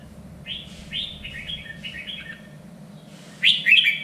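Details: Standard three-region voice of a red-whiskered bulbul for singing-contest training: a run of short, soft downslurred whistles followed by a sudden loud, bright chattering phrase at the end, over low hum.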